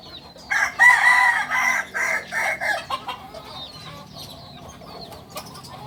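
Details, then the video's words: Original Kukuak Balenggek cock from Solok, West Sumatra, giving a stepped crow of several short loud syllables over about two and a half seconds, dropping to quiet background with faint distant chirps afterwards. "Ayam kukuak balenggek asli solok sumbar"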